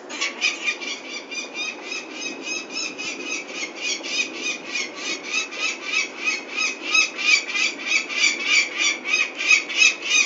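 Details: Peregrine falcons at a nest in Venlo, 21 May 2024, as chicks are taken for ringing: harsh, grating calls repeated about three times a second in a steady, unbroken series.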